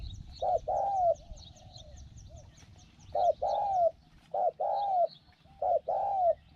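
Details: Spotted dove used as a trapping decoy, praised as a good cooer with a small voice; paired coos, a brief note then a longer smooth descending one, come in uneven bursts amid low background rumble and thin high ticking.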